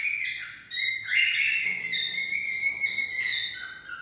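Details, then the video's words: Cockatiel song meant to stimulate mating, a long sustained whistle rich in overtones that steps up in pitch, holds steady for over two seconds, then dips lower at the close, with a faint low hum beneath. "Cocktail stimulating sounds for mating"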